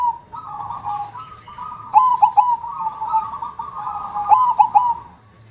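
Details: Perkutut, or zebra dove, singing in the big-voiced 'kong' style: a continuous rolling, trilled coo broken by bursts of short stuttered notes, flowing with hardly any pause.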